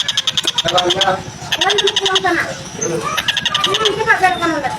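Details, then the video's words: Oriental dollarbird with a coarse, slow-paced voice, used to tutor songbirds: repeated bursts of harsh, rattling notes mixed with lower, rough, wavering sounds throughout. "TENGKEK BUTO GACOR SUARA KASAR, SPEED LAMBAT"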